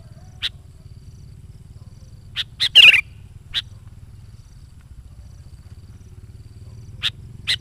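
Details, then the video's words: Sooty-headed bulbul used as a lure for wild birds, singing one loud bubbling whistled phrase among scattered thin high notes, with long pauses and a steady low hum throughout. "SUARA BURUNG KUTILANG GACOR COCOK UNTUK PANGGILAN BURUNG KUTILANG LIAR DAN PIKAT AJARAN"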